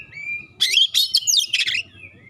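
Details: Oriental magpie-robin in brief sharp, clear song meant to provoke rival magpie-robins; a thin whistled note, then a quick burst of high, jangling chirps, ending with a fading whistle over a low background hum.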